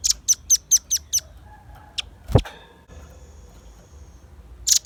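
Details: Velvet-fronted nuthatch calling energetically, a recording meant for luring birds and tutoring songbirds: six shrill, high chips in quick succession, then a loud knock and a faint whistle, ending with another sharp note.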